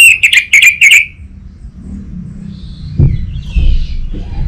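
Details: Captive orange-headed thrush from Singaraja, Indonesia, recorded to stimulate raw birds: a quick series of four rattling whistled notes in about one second, then low background rumble and faint knocks.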